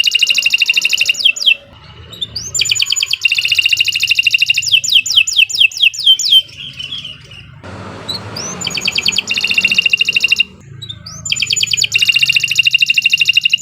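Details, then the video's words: Canary singing a long, loud training song meant to prompt other canaries to sing: fast buzzy trills at high pitch alternating with rapid repeated down-slurred notes, broken by short pauses and a brief noisy rasp midway. "Kicau Burung Kenari 148 II LUAR BIASA GACOR PANJANG Cocok untuk Masteran"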